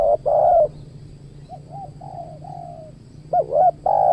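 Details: Decoy-luring of wild spotted doves at a new spot next to a durian orchard. A loud, long coo is followed by softer, distant, arched coos, then a fresh burst of looping notes and a sustained coo. A low hum persists.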